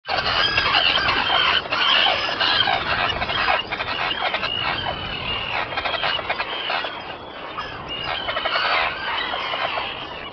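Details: Arctic terns, with an adult feeding its chick, give harsh, grating, high-pitched cries in a near-continuous overlapping din, with several birds calling at once.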